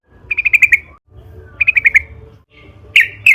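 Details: Trucukan (yellow-vented bulbul) in a lively narung-style song used as a lure to make other trucukan sing: three short bursts of rapid bubbly notes, each phrase about half a second, separated by pauses, with faint low hum beneath.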